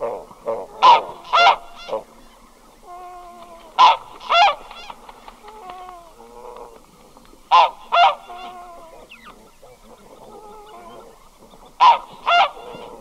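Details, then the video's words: One red-breasted goose calling at close range: paired squeaky honks repeated four times, roughly every three to four seconds, with faint murmuring and tonal sounds between the pairs. "Red-Breasted Goose. MCU Calls From A Single Bird."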